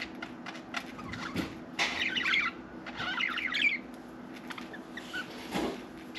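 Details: Single pet budgerigar producing two long, rolling bursts of squeaky warbled chatter between soft clicks and taps, with a low indoor hum behind.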